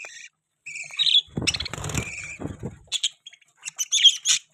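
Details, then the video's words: Pet budgies giving chattering chirps, with short squeaky notes, a warbling burst in the middle and quick bright twitters near the end, with gaps of silence between. "Budgie Chirping Sound"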